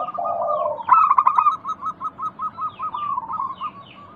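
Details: Zebra dove lure song for getting silent doves to call back. A short, low, purring coo opens, then a sharp burst and an even train of about a dozen evenly spaced high chirps.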